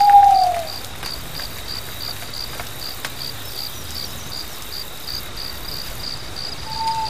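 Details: Mantanani scops owl calling at night on Mantanani Island, between Borneo and the Philippines: one clear, slightly falling hooted note at the start and another beginning at the end, over steady pulsing insect chirps.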